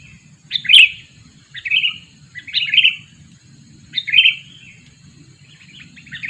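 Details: Lure bird, a sooty-headed bulbul aged two years, utters short emphatic chirping phrases every second or so, each a sharp liquid note dropping slightly, over a quiet low rumble.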